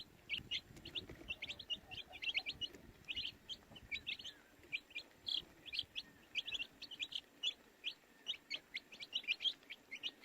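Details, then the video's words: Domestic baby chicks cheep in quick, bright repeated peeps, many short notes tumbling over one another, with a soft low rumble underneath. "Baby Chicks Chirping Sounds"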